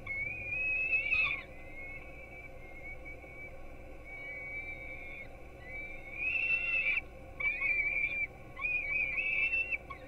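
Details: Young peregrines at a Gdynia, Poland nest receiving breakfast at 4:21 am on 5-11-16, heard through a live webcam. A long thin whining begging call gives way to louder, choppier high wails near the end, with a few sharp clicks and steady background hum.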